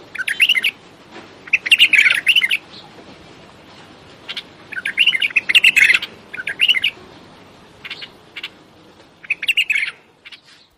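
A bulbul gives short bursts of bubbly, chattering, whistled notes, phrases of about a second spaced a few seconds apart. Softer chirps fill the gaps.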